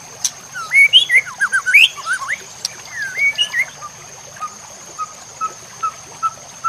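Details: White-rumped shama song for training other shamas, with nature sounds and trickling water: a jumble of quick twisting whistles and chirps, then soft short level notes repeated about every half second.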